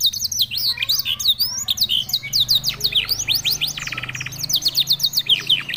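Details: Canary in lively song, a stream of high zigzag notes and quick trills, broken by a short buzzy roll in the middle before the rapid chirping resumes.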